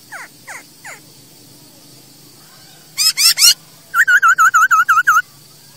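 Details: Masked laughingthrush song used as a training lure for captive birds: three faint descending notes, then a loud burst of three harsh rasping notes, followed by a run of about nine clear wavering whistles.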